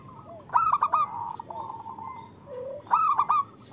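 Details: Female zebra dove calling to a male, used to draw singing from local males; two loud, bright stuttered bursts about two seconds apart, linked by a quieter purring trill and a few low falling notes.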